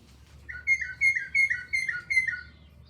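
A Northern Mockingbird sings one bright, mid-high chirpy phrase repeated about six times in quick succession, a note pair every third of a second, over faint low hum.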